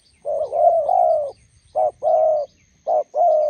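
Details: Close, loud spotted dove coos at a roadside in Gia Lai, Vietnam, where a decoy meets a wild bird: a long rolling coo, then two short-long pairs, rough and low-pitched.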